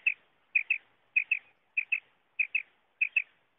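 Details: Common quail calling, a sound used for hunting: high, sharp paired notes, each pair clipped and bright, repeated roughly every 0.6 seconds in a steady rhythm over a silent background.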